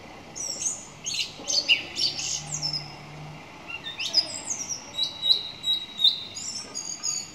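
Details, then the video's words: Song thrush in full song: a rich mix of high chirps, slurred whistles and brisk repeated notes, loud and varied in tone, with a faint low drone in the background. "Song Thrush 2"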